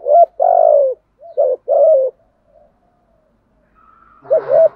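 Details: Decoy spotted dove cooing to provoke and lure wild doves into answering: a few hollow, low coos in short phrases, one long drawn note, a pause, then a rougher burst of coos at the end.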